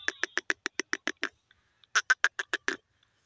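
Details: Grey francolin calling in two quick runs of sharp, harsh, evenly spaced notes, about eight and six notes each, with a brief silent gap between runs and a clean quiet background.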